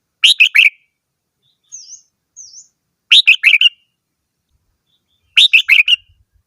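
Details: Red-whiskered bulbul giving rapid bursts of four or five liquid whistled notes, roughly every two and a half seconds, with soft thin high calls filling the gaps.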